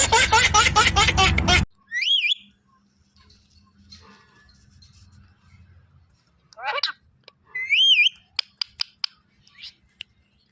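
A ringneck parakeet gives bright wavering whistles and short sharp clicks and chirps, with a burst of harsh talking-like chatter at the start.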